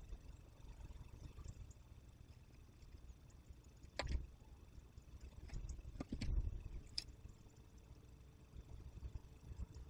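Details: Low rumbling background with a few sharp knocks and clicks near four and six seconds; no calls are heard.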